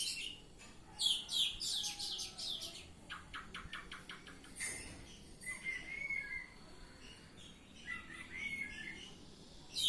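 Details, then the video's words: Oriental magpie-robin (kacer) singing in ngeplong style: bursts of high, rapid buzzy notes and rattling trills, then clear whistled phrases sliding around the middle pitch, with short pauses between phrases. "Kacer Ngeplong"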